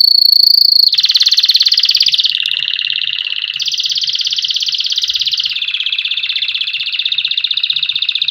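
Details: Canary song played for training chicks: a loud, high, unbroken stream of rapid rolling trills, each tour holding a steady pitch before switching to a slightly higher or lower one, opening with a clear whistled note.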